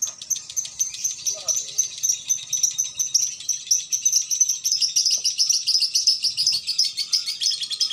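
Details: Female lovebird in a bird shop in Indonesia, singing the long continuous song called konslet: a rapid, dense stream of high, buzzy chattering notes pulsing several times a second without a break.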